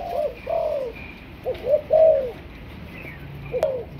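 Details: Young Malaysian-strain spotted dove in training as a decoy bird, giving soft, low arched coos in quick phrases, a short cluster of notes and then a final coo after a pause, with faint higher chirps in the background.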